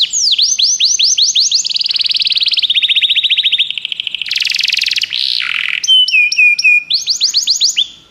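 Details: Canary song played to stimulate a pet canary to sing: loud, continuous high rolling trills of rapid repeated notes, shifting through descending sweeps, a buzzy burst and clear whistled tones, ending in another fast trill.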